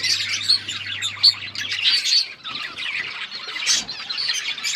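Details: Budgie flock twittering busily, thick high chirps and short squeaks with a quick burst near the end, low hum fading in and out.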